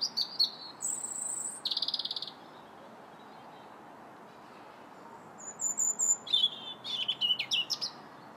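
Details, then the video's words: Robin song in January, with clear high notes alternating between thin whistles and buzzy trills, a pause mid-clip, then a run of quick varied twittering notes; faint steady hum beneath. "Still the Robins Sing January 21st"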